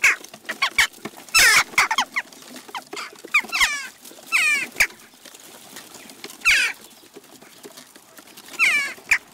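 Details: Western jackdaw flock at a garden feeder, Recke, Germany, June 29, 2021; scattered short squeaky chacks mixed with several loud, harsh rasping bursts of rapid descending notes, plus faint tapping sounds.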